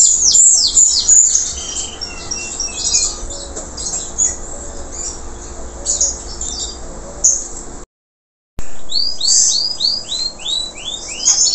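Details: Local canary singing lively after its moult: high squeaky notes and short trills, a soft repeated low note, a brief pause, then a fast run of descending whistled sweeps.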